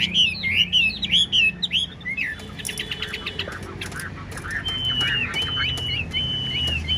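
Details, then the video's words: Tame Chinese hwamei in a cage in Vietnam, fanned tail, singing unbroken: looping rich whistles, then a burst of rapid clipped notes, settling into long level whistles repeated at steady intervals. "Đuôi xòe hót không bỏ mỏ, chất giọng cực hay"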